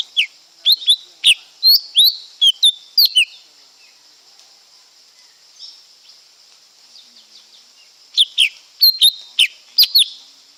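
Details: Lesser green leafbird singing two bursts of rapid, sharp, whistled and slurred high notes, the first a run of about ten, then a pause of several seconds before a second burst, over a constant high insect drone.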